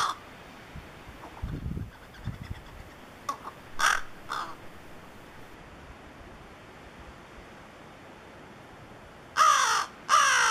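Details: A young crow, between newly fledged and juvenile and still learning crow calls, gives a few short, rough calls, then two loud, harsh, raspy caws about half a second apart; low muffled thumps early on.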